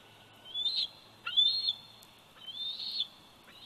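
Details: Bald eagle eaglet, 104 days old, calling at its nest in Big Bear Valley on a nest camera, 27 July 2019: three thin, high, drawn-out whistled squeals with downward-bending ends, separated by short pauses.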